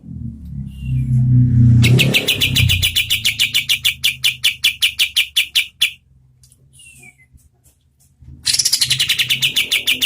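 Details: {'text': 'Oriental white-eye singing briskly as tutor audio for competition birds. A low rumbling thud comes first, then a quick run of high, sharp chip notes, a few seconds of near silence, and a fresh burst of chirps.'}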